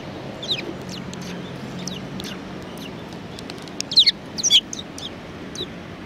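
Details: Sparrows at a Tenmangu shrine on 23 January 2019, giving faint scattered chirps, then a louder cluster of quick, bright, downward-slurred chirps near the middle, against steady low background rumble.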